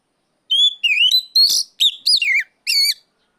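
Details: Oriental magpie-robin, kept bird, challenging a rival with loud ngeplong calling: a string of seven clear, inflected whistles rising and dipping, delivered in quick succession with short gaps.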